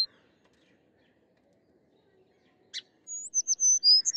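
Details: Sparrows: after near silence, a sharp buzzy burst is followed by a run of high, thin whistled notes, some sliding downward, packed into the final second and a half.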